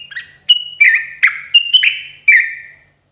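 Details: Cage-bird therapy recording of a sooty-headed bulbul in the morning. A rapid phrase of loud, bubbly, slurred whistles alternates higher and lower notes and then fades out.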